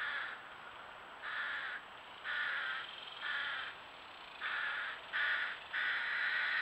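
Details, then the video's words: Young American Crows with adults at a pond, June 2023, clamouring to be fed on a trail camera: a run of seven harsh caws, spaced irregularly, the last ones louder and closer together, over constant hiss. "American Crows with their offspring making a lot of noise to be fed"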